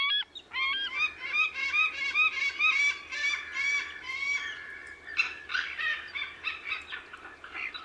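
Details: White-tailed eagle giving a rapid series of harsh, yelping, harmonic notes, several per second, fading and breaking up into rougher overlapping calls toward the end over a quiet background.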